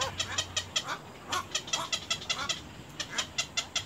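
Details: Little egret chicks at the nest pecking hard at their mother; rapid, dry, clicking chatter repeated about two to three times per second, with brief buzzy bursts and a faint low hum underneath.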